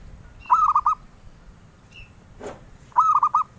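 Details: Zebra dove song prized by collectors: two mellow cooing phrases, each a short run of four looping notes, about two and a half seconds apart, with a brief thin whistle and a sharp click in between.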